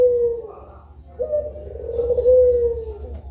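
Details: Pelung-style collared doves, two birds at midday, giving a brief falling coo followed after a gap by a long, steady, drawn-out coo.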